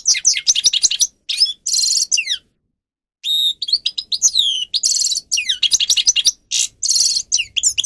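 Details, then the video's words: Grey-crowned goldfinch singer, tutor song: bursts of fast twittering and sweeping whistled notes broken by dry buzzy trills, a pause of about a second, then more excited chattering phrases with repeated buzzes. "(Carduelis caniceps) Goldfinch song"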